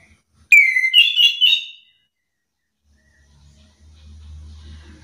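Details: Song of an orange-headed thrush, meant as a lure so lazy birds angrily sing back: one sweet whistled phrase, a falling note then quick warbled rising notes, followed by silence and a low rumble.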